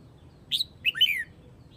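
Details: Calling its flock, a Red-whiskered bulbul of the Huế type gives one brief phrase: a clear whistled note followed by a quick rising-then-falling slurred pair, all in under a second over quiet low background noise.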